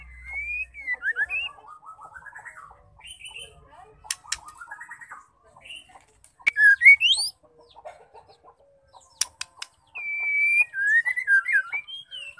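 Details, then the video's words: Female white-rumped shama song, meant to provoke male shamas to sing: varied whistled phrases and slurred notes separated by sharp clicks, with a loud rising flourish near the end. "Murai batu betina gacor penggacor terampuh murai jantan"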